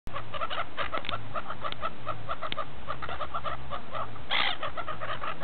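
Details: Gulls feasting at Repino near St. Petersburg, Russia: a dense flock of short, clipped calls repeating rapidly throughout, one louder harsh cry near the end, over a steady low rumble.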